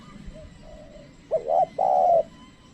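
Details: Trained spotted dove calling as a lure for wild birds. Faint distant coos come first, then one loud phrase: a short rising double coo followed by a long, even, hollow coo.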